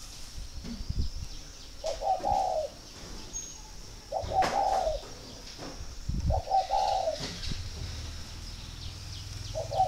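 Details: Captive spotted dove at a breeding garden in Ba Vì district, Vietnam, its calls read as a sign it is ready to be paired: four soft, rounded coos spaced roughly two seconds apart, with faint rustling and clicks between.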